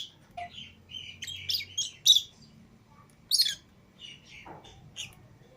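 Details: Pet lovebirds, a green Fischer's pair and a lutino pair, chirp out of the cage with other lovebirds: bright high squeaks and buzzy notes in uneven bursts, with a faint low hum behind.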